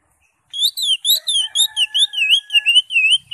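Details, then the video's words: Caged green leafbird singing in a lively, sustained way, used to prompt another caged bird to sing: a fast run of looping whistled notes, each rising and falling, repeated about four times a second, over a faint steady tone. "cucak ijo gacor"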